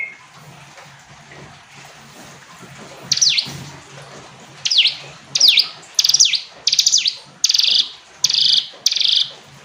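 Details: Noisy hiss at first, then a hill prinia starts up and repeats a stuttering, downward-swept phrase roughly every 0.7 seconds, growing steadier toward the end.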